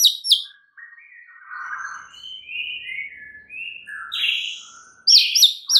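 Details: White-rumped shama song used as a lure to provoke other shamas: a varied phrase of sharp high double notes, then softer buzzy slurred and whistled notes in the middle range, ending in a fresh burst of high chips.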